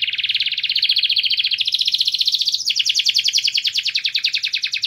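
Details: White canary giving its mating song, one sustained fast trill of pulsed notes that rises in pitch, breaks abruptly and carries on slightly higher.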